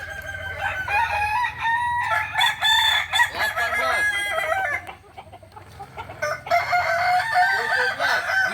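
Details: Kukuak balenggek roosters crowing at a crowing contest in Ampang Kualo, Kota Solok, May 2024: several overlapping long, ringing, harmonic crows with stepped, wavering notes. Crowing pauses briefly near five seconds, then resumes loudly over a steady low hum.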